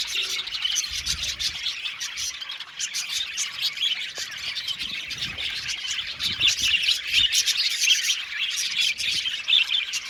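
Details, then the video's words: An aviary budgie colony keeps up constant overlapping chirping and warbling, loudest toward the end, with quick notes tumbling over one another. "Beautiful budgies singing sound | budgies chirping sound"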